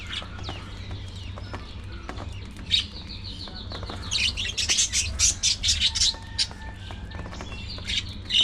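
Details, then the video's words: Early morning feeding time for budgies. Scattered ticks and soft calls build into a run of loud, rapid, high chirps, followed by quieter warbling and a final sharp call. "Budgies Full Time Activities | Early Morning Feeding Time"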